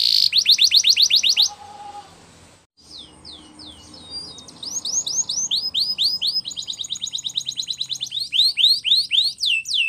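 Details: Spanish Timbrado canary song for training: a rapid sweeping trill, a quieter gap with soft background sounds, then looping repeated notes building into a loud rhythmic series.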